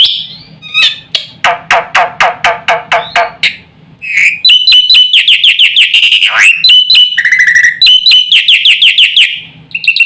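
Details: Black-winged myna singing with many fill-in phrases to set other mynas calling: a fast series of harsh rasping notes, then loud rapid whistles and a downward-sweeping squeal, with a low electrical hum beneath.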